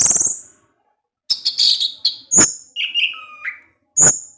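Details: Orange-headed thrush singing in the evening, its song provoking other thrushes: separated high whistled notes and short buzzy phrases, a dipping two-part whistle near the middle, with gaps of silence between bursts.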